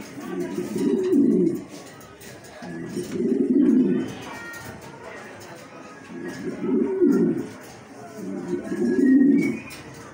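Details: Yellow Show King pigeon, a domestic breed, indoors: four loud low rolling coo phrases, each about a second and a half long, spaced roughly every two to three seconds, with faint clatter behind.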